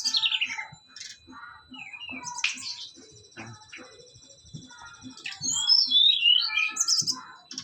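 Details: Brown-chested jungle flycatcher, a Bali native kept as a songbird, singing without pause under a mental test: a jumble of thin high notes, quick chips and buzzy trills, growing louder toward the end.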